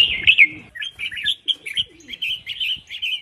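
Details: Calls of a female red-whiskered bulbul, used to stir males to sing. A loud opening chirp is followed by a chattering series of quick, bubbly notes at a steady, fairly fast pace.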